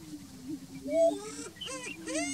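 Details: Greater prairie-chicken at a lek on a ranch: low droning moan underneath, with higher whining and cackling notes rising and falling above it, several birds calling together.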